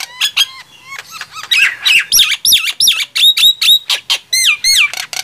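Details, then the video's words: Nias hill myna and javan myna singing against each other: clear looping and falling whistles alternating with harsh clipped calls, delivered fast and loud. "Adu keras gemboran jalak nias vs jalak kebo"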